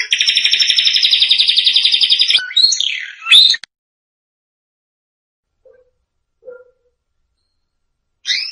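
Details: Canary song meant for training young canaries: a steady rapid trill lasting over two seconds, followed by a few sliding whistled phrases and long gaps of quiet.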